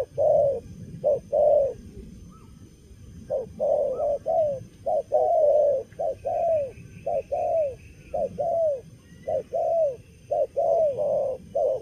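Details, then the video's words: Moulting young wild-caught spotted dove cooing energetically in the stammering 'cà lăm lỡ' style: a long run of short, slightly falling low coos in uneven clusters, with a soft faint twitter in the background. "Bổi tơ gù cà lăm lỡ, đang mùa thay long mà quá hăng"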